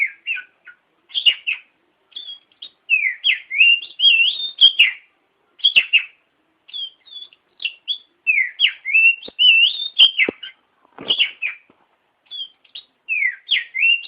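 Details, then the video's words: Training song of an oriental magpie-robin, played for other birds to learn: varied whistled notes, sliding up and down, mixed with sharp clicks and chirps in uneven phrases. "Masteran Burung Kacer Di Jamin Top Cerr !!!!"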